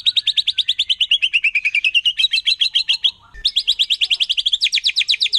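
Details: White-rumped shama from the forest, wild, delivering a 'nembak' burst meant to provoke other shamas: long fast buzzy rattles that slide lower then rise, a brief pause, then two more intense rapid rattling trills.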